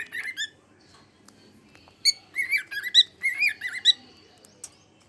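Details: A male cockatiel in a happy mood gives a run of bright, squeaky whistled chirps with harmonic, warbling notes.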